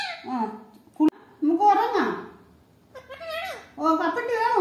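An Indian ringneck parakeet talks in three bursts of high, nasal, speech-like words separated by short pauses, with a sharp click indoors.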